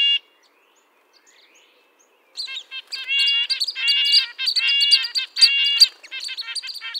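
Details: Red-breasted nuthatch giving high, nasal, tin-trumpet-like calls: one short note, about two seconds of silence, then a rapid irregular series of clipped notes in quick clusters.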